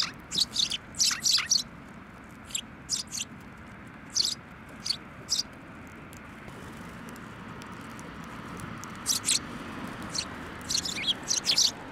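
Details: Several sparrows at a Tenmangu shrine on 17 December 2023, arriving at a bench for food: scattered bursts of thin, sharp chirps with quiet gaps, over soft background noise.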